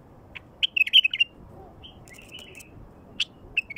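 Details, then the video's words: Song of a wild bulbul, meant to stir wild bulbuls into song: a quick, liquid run of whistled notes, then a slurred warble and a few isolated clicks against a low background rumble. "تغريد بلبل وحشي لفتح البلابل الوحشية"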